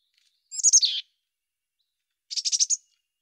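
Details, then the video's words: Mountain chickadee giving two bursts of high, rapid chirps: a quick descending jumble of notes, then after a pause a tighter series of about six buzzy, evenly spaced notes. No background noise. "Mountain Chickadee Chirps"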